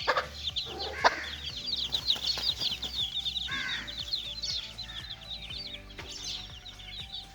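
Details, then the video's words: Little chicks playing: a dense chorus of high, rapid peeps from many chicks, with a few wing flutters and a steady low hum with tonal background sound. "little chicks playing"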